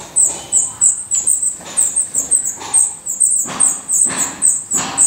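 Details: Black redstart at its nest in Portugal: a rapid series of very high, thin, clipped notes, about three or four a second and unevenly spaced, with soft thumping sounds underneath.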